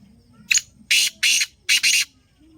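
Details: Black francolin (kala teetar), a bird described as a speedy, pure lakka nasal caller. One short sharp note comes first, then four loud, harsh, nasal notes follow in two quick pairs. The background is quiet.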